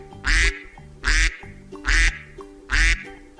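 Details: Duck quacking, played for primary pupils in a special-education science lesson so they can hear and copy it; four loud, harsh, nasal quacks about a second apart over soft background music.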